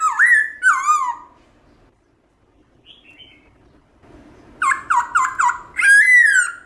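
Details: A captive black-throated laughingthrush (Garrulax chinensis) sings a wild-type song of loud, clear whistles: two slurred notes, a pause, then four quick rising-falling whistles and a long ringing phrase.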